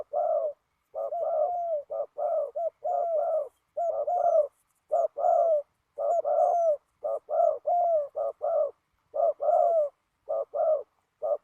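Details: Decoy trapping of a spotted dove on the ground in heavy wind; a long, clean series of soft paired coos, short then longer and slurred, repeated roughly every second with little background noise.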